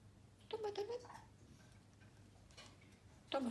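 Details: A grey parrot (Psittacus erithacus), eating from a spoon, speaks two brief word-like phrases in a clear, mid-pitched voice almost three seconds apart, over a low indoor hum.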